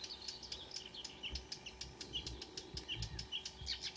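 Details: Dawn song of marsh warblers, several singers, at Kråkstad near Ski, Norway, 5 a.m. on 2 June 2009; a dense, continuous flow of quick high chirps, trills and whistled notes with faint low rustling beneath.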